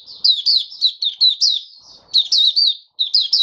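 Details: Oriental white-eye kept caged and dewormed monthly, singing on the fifth day afterwards. Continuous high, downslurred twittering notes come about once a second in two flowing phrases.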